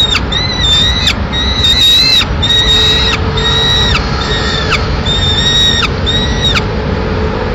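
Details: Peregrine falcon chick alone in its nest in Madrid, Spain, as the mother delivers a pigeon; repeated shrill, harmonic whining calls with short gaps, roughly one per second, over low city rumble and a faint steady tone.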